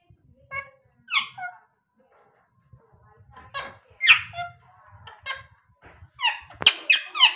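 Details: A pet parrot gives scattered short squeaky chirps with bright, rising-and-falling notes, several in quick pairs, and ends in a louder burst of sharp chatter over a quiet background.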